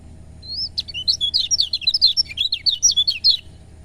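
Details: Lemon-bellied white-eye song, used to stimulate reluctant birds to sing: a rapid run of high, twisting whistled notes and chirps, about thirty short elements in three seconds, with a faint low hum behind.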